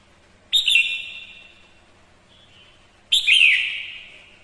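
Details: Female red-whiskered bulbul used as a decoy, singing to excite and fire up males; two bright whistled phrases starting abruptly, each fading in a long trailing tail, about two and a half seconds apart.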